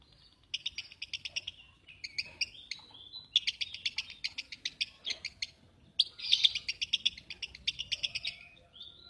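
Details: Lovebird producing dense, rattling runs of high chirps in several long bursts, separated by brief gaps, loud and buzzy throughout.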